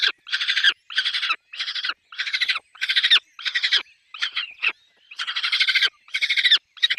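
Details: At a nest holding chicks, a peregrine falcon gives loud, rasping calls in rhythmic bursts, each a quick train of rough pulses, with a few shorter clipped notes midway.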